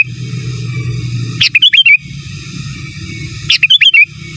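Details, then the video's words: Sooty-headed bulbul, master song in gacor, giras and menggaruda style: two bursts of staccato chips ending in a twisting whistled phrase, two seconds apart, with low rumbling hum throughout. "Suara Burung Kutilang Gacor Giras dan Menggaruda Cocok Untuk Masteran"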